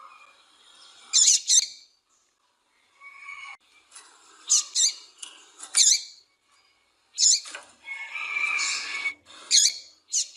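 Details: Calling female double-collared seedeater, used to excite a male into singing, gives a series of sharp, high double chirps separated by short pauses, with one drawn-out buzzy trill near the end.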